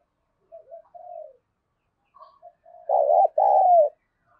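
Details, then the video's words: Spotted dove, 'thổ' voice, calling to provoke fighting: quiet soft lead-in coos build to a loud hoarse two-part coo, the final note long and gently falling. "tiếng chim cu gáy thúc đấu vấy bổi nghe nhanh gáy và gấy ức chế cao"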